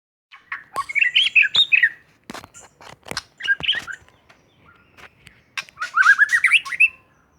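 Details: White-rumped shama from Aceh singing energetically: bursts of varied, fluty whistled phrases mixed with sharp clicks, ending in a rising run of rapid notes.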